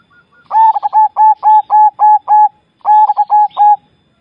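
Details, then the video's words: A Javanese zebra dove sings two quick bursts of soft, clipped cooing notes, about seven and then four, each with a slight bubbling lilt; nothing else is heard. "perkutut jawa bikin gacor"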